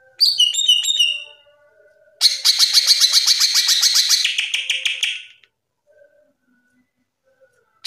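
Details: Cucak ijo in lively ngeplong gacor song, meant as a master and therapy recording for young birds: a short chirpy phrase, then a rapid buzzy rattle of evenly repeated notes lasting about three seconds.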